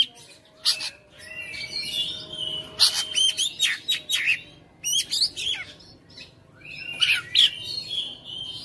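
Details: Caged Oriental magpie-robin in persistent fighter-style singing, showing its repertoire of learned phrases: rapid high chirps, clicks and brief whistled slurs in quick bursts, separated by short pauses.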